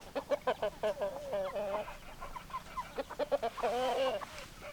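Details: Hens clucking in a dense run of short, harmonic clucks repeated several times a second, with a few longer drawn-out, wavering notes near the end; no other clear sounds.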